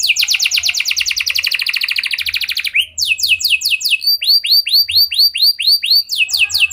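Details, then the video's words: Canary song used as a lure to get other canaries singing: a rapid trill of descending sweeps near 2–8k, then swooping downward whistled notes, then curved upslurred notes repeated about twice a second. "Pancingan Ampuh Banyak Burung Kenari Cepat Bunyi Gacor Dengan Suara Kenari Gacor Lagu Unik Ini!"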